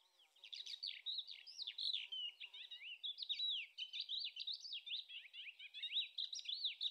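A Thekla lark gives a continuous, varied run of high, sweet whistled notes and quick slurred trills, rising and falling without pause; nothing else stands out.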